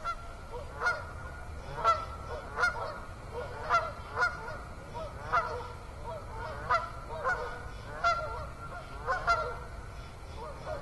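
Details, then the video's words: Autumn evening at Assabet River National Wildlife Refuge, 6 October 2014: geese call with a long series of honks, one every second or so, over a background of insects. "Autumn Evening with Beaver, Geese, Katydids and Others"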